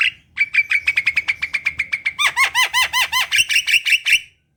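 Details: Singing black-winged myna in a cage, played to stir lazy birds into song: quick series of dry chips quickening, then loud rasping arched notes with whistled overtones repeated rhythmically.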